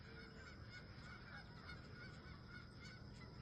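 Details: A flock of wild geese at sunrise near a camp, honking steadily in a continuous overlapping chorus of nasal calls above a strong low rumble.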